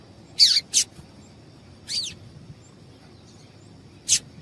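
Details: Calls of a female papa-capim (yellow-bellied seedeater), used to stir up males for singing contests: a quick pair of piercing high chips, a softer downslurred note, then one more sharp chip, with a quiet background.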